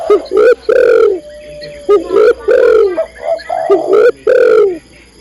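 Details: Female spotted dove calling to the male: loud, low cooing phrases, each a short clipped note followed by a longer falling coo, repeated in three groups over five seconds against a quiet background.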